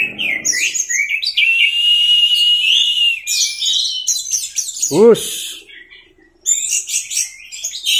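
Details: Orange-headed thrush song in the 'teler' masteran style: long, sustained whistled phrases, then chattering high notes and a short pause. A brief human voice cuts in partway through.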